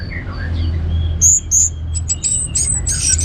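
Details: Orange-headed thrush singing as a lure to prompt other birds: faint low whistles give way to a quick run of very high, thin, buzzy notes and chips, with a constant low background hum.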